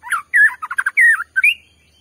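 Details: Short, energetic white-rumped shama phrase played to make another shama emotional: a quick sequence of rich, slurred whistles and chattering notes ending in a rising whistle.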